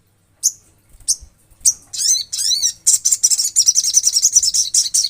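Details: Vigorous olive-backed sunbird song recorded in nature: a few spaced, very high chips that speed into a dense run of arched, slurred notes, then a fast, piercing twittering trill of rapidly repeated high notes.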